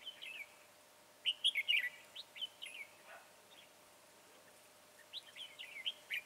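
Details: Red-whiskered bulbul trapped using a decoy, 22 January 2018, bird slim with a high crest and dark bib: rapid chortling whistled phrases in two clusters, a quiet gap between them, notes rising and dipping quickly.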